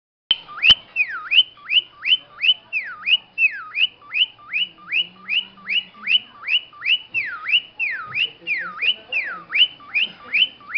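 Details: Cockatiel imitating a car alarm: a loud whistled note swooping down then sharply back up, repeated about twice a second in a steady run of over twenty cycles, with a faint low murmur behind.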